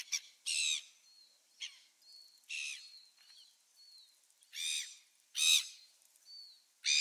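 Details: Gulls on 27 December 2017: irregular bursts of harsh harmonic calls, some brief and some longer, mixed with thin high whistled notes between them.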